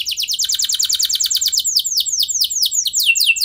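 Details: Lively canary song played to prompt other canaries to sing, a rapid series of bright downslurred notes that slows and spreads into broader, swooping syllables toward the end.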